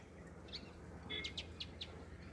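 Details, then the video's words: An Indian house sparrow sings a few short, bright chirps in quick succession, about five notes over a second, over a low hum of background noise. "house sparrow"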